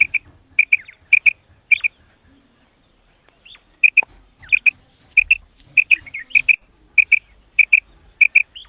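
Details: Common quail, a female, giving clipped paired calls, two bright high notes close together, in loose bursts with a short pause near the middle of the sequence; quiet background.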